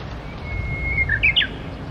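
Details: Japanese bush warbler at the Tsurumi River: a long, plain whistle broken by a short lower note, then two sharp, ringing notes that rise and tumble downward. Mild low background noise.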